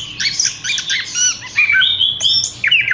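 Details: Horsfield's bush lark in a cage giving quick chattering notes, then a clear sustained whistle and more sharp chirps in a dense run.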